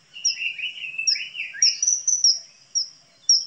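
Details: Common kingfisher (Alcedo atthis): repeated shrill high whistles over lower, rolling warbled notes that rise and fall, with the whistles continuing alone toward the end.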